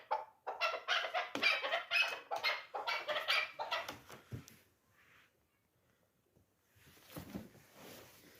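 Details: Fast harsh chuk notes from a three-year-old hunting chukar partridge of the dulan type, fading into quiet background noise after about four seconds.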